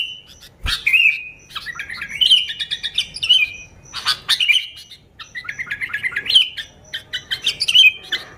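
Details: Real sooty-headed bulbul song, lively and free of other birds' songs, meant to lure bulbuls: warbled, slightly buzzy phrases in quick succession, separated by short pauses, with a sharp knock near the start.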